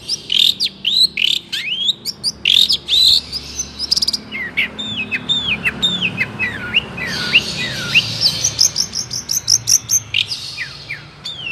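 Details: Long-tailed shrike, a captive songbird whose song is used to train young songbirds; rapid varied song of sharp downward-sweeping whistles and chirps, with harsh notes and fast rising trills, continuous and high-pitched.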